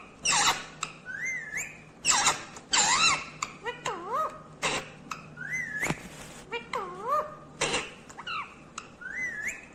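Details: Green ringneck parrot chattering and mimicking speech, with rising and falling whistled tones, sliding notes and harsh bursts repeated over several seconds, against a low steady hum indoors.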